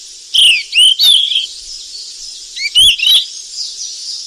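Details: Wild golden flycatcher feeding its chicks: bright, high chirped notes, sharply rising and falling, in two short bursts of two to three notes each, over steady background hiss with sharp clicks.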